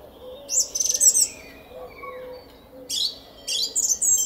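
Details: Morning song of a song thrush in a garden at Szalkszentmárton, 10 April 2021, 06:15: a rapid stuttered run of high notes followed by a pause, then further sharp, whistled phrases.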